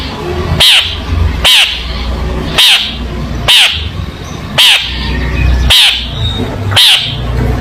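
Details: Long-tailed shrike, recorded as tutor material for young shrikes, giving short harsh scolding notes repeated roughly once a second, seven in all, over a steady low hum.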